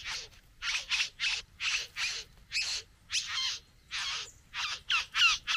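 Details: Courtship at the bower: a satin bowerbird courting a female pours out a rapid run of about a dozen harsh, grating rasps. Some are paired and some carry a faint rising whine, in quick, uneven rhythm.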